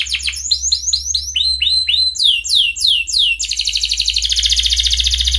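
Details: Canary in breeding condition calling a rival, used as a lure for young canaries to learn: a run of loud descending whistled sweeps, then a rapid buzzy trill of fast repeated notes building in volume, with low hum beneath.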